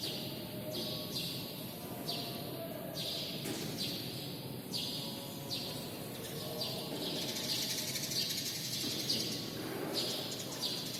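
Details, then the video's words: Sparrows indoors in a badminton hall giving sharp, high, downward-sweeping chirps, roughly one a second and irregularly spaced, each trailing into a ringing echo from the hall, over a broad murmur of background noise. "Sparrow Sounds Inside the Badminton Hall | Suara Burung Gereja di Dalam Gedung Bulutangkis"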